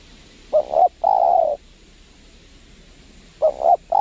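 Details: Spotted dove in Lombok calling back to a lure bird during trapping at a windy spot, where the wild bird is wary and not aggressive: two short, low, rounded cooing phrases with a long pause between them, over faint background hiss.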